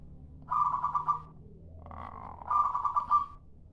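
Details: Lure call of a local zebra dove. Two quick, pulsed cooing trills about two seconds apart, each a rapid run of even notes, with a faint low rumble underneath.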